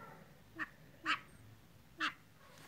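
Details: Black francolin male calling to his mate, giving three short, harsh, raspy notes spaced unevenly over about two seconds against a quiet background.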